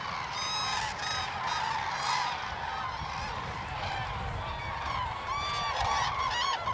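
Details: Common cranes at Hornborgasjön, Västergötland, Sweden, in April 2009, dancing and calling from many birds at once: loud trumpeting notes rising and overlapping in a continuous chorus, over a steady low rumble of wind.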